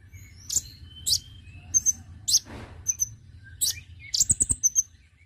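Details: Konin bird, a lure call meant to draw in birds: a series of sharp, very high chirps spaced about half a second apart, ending in a quick cluster of ticking notes, with a brief rustle midway.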